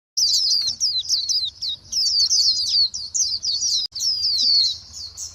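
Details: A flock of white-eyes calling to one another: dense bursts of thin, high, twittering chirps, overlapping and sliding downward, broken by brief pauses, with a faint low hum underneath.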